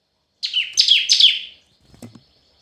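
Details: Red-whiskered bulbul in competitive song: three sharp, falling whistled notes in quick succession, followed by faint low knocking sounds.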